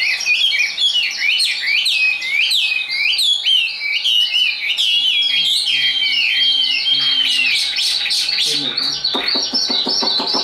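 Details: Tame, hand-carried caged Chinese hwamei singing high: a loud, continuous run of varied whistled phrases, rapid slurred notes rising and falling, with brief buzzy and chattering bursts near the end and a faint low voice-like sound in the middle.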